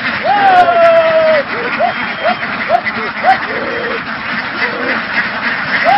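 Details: Flock of laying ducks in Vietnam, herded across fields and onto a boat. Dense, continuous quacking chatter from many birds, with clear whistled tones sliding and arching through the middle, one long level whistle near the start.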